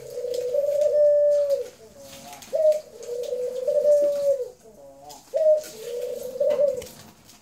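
A dove gives three long, steady, low coos, each about a second and a half, with a short upward lilt at the start and brief pauses between them.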